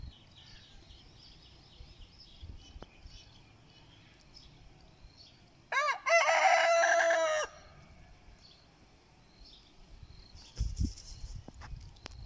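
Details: A muscular Lohmann Brown rooster crows once, a loud harmonic call lasting under two seconds that rises then holds steady, standing out against quiet background with faint bird chirps and a few soft knocks afterward.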